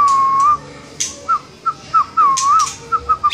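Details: Murai batu, the white-rumped shama, in gacor song: a long level whistle, then short looping whistled notes on one pitch in quick succession, punctuated by sharp high clicks.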